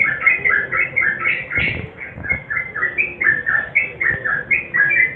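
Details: Sooty-headed bulbul in lively nguklik style, combined with garuda song, played to coax silent birds into singing: bubbly whistled two-note phrases repeated rapidly, rising and falling, with faint background rumble.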